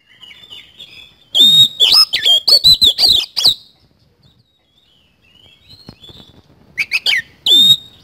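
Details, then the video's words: Oriental magpie-robin singing energetically: a soft opening whistle, then a loud rush of clear whistled notes and rasping chatter, a quiet pause, and another strong phrase ending on a ringing whistle. "BURUNG KACER GACOR ISIAN KASAN"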